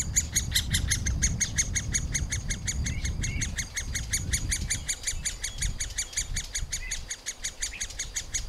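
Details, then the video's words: Nestling middle spotted woodpeckers call from their tree hole while parents bring food: a steady stream of high, squeaky notes repeated nearly three times a second, over a noticeable low background rumble in the first half. "Krmení mladých strakapoudů"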